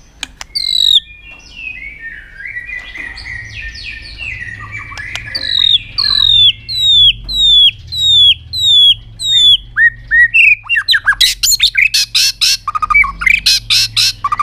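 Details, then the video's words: White-rumped shama singing a very long song with tail-flicking, aggressive display meant to stimulate other birds: varied clear whistles, then a series of repeated descending whistled notes, ending in rapid harsh buzzy bursts over a low background hum. "chòe lửa kéo dây siêu dài,đánh đuôi thái độ kích chim hiệu quả"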